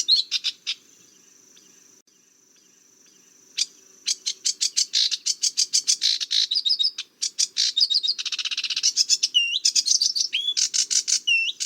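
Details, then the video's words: Sedge warbler singing, opening with a few sharp notes and a thin sustained buzz, then a rapid, jumbled sequence of chattering trills, harsh rattles and rising whistled slurs. "Sedge Warbler - Songs"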